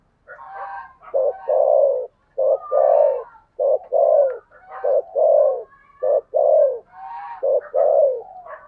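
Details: Decoy spotted dove with a 'thổ' voice, the 'thúc bổi' calling style, gives a steady run of low, hoarse coos. There are about eight in nine seconds, each led by a short rough note, with faint higher chirps of other birds behind.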